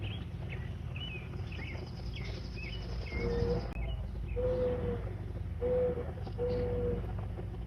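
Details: American mourning dove giving soft, steady low coos, four even notes about a second apart in the second half, after scattered high thin chirps from small birds, over a constant low rumble of wind-like noise.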